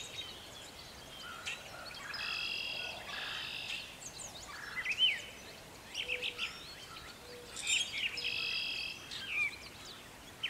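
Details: Brown thrasher in spring song in a garden at planting time. Loud, varied phrases, some rich and buzzy, some thin rising whistles or chip trills, delivered in separate bursts with gaps between. A steady outdoor hiss underneath.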